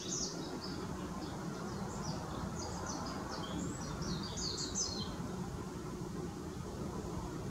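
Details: Blue-and-white flycatcher song recorded on 24 April 2016: a quick string of high, thin slurred notes over about five seconds, set against a steady low rumble of background noise.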